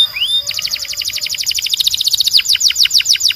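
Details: A Belgian canary opens with one rising whistle, then pours out a dense, fast trill of bright chirps that turns into steeper descending sweeps toward the end. The high tone is continuous.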